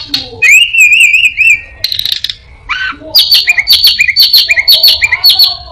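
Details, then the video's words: Orange-headed thrush singing a mimicked medley said to include a prinia, a cat, a cirtu and other birds: a wavering whistled phrase, buzzy bursts, then a rapid run of sharp high notes with lower echoing chirps. "burung Anis binbin gacor isian perenjak,kucing,cirtu,dan burung lainya"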